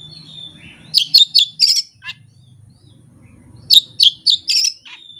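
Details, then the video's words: Oriental magpie-robin, a hobbyist's bird, delivering its learned isian material with no tutor recording or rival: two clusters of four rapid sharp chirps, each ending in a longer whistled note, separated by a quiet gap. "KACER JAYA SURYA NEKAT BONGKAR ISIAN TANPA MASTERAN DAN TANPA LAWAN"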